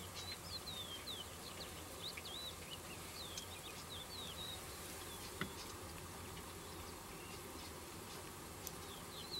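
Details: Cretzschmar's bunting giving soft, high, thin notes in loose series, short slurred chirps scattered through the clip over steady hiss and faint background noise.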